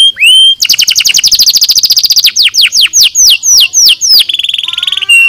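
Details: Canary song used for training birds, in the style called nozes: a rising whistle, then fast rattling rolls of repeated notes, a run of clear downslurred whistles, and a rapid trill ending on a steady whistle.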